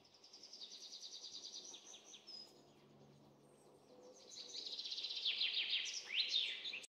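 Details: A pair of Crimson-winged woodpeckers (Picus puniceus) give quick, high, chattering series of sharp notes, about three per second, in two bursts around a quieter pause, over a faint low hum.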